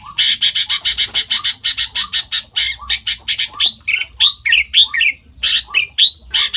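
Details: Sooty-headed bulbul imitating other birds' songs, said to copy more than five species: a fast run of about a dozen harsh, rasping chips, then sweet whistled notes that rise and fall in an uneven sequence.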